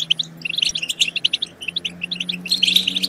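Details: Separate bright chirps and short twitters of a European goldfinch, ending in a denser trill, over a low steady hum; the song is used to stimulate goldfinches to sing and mate.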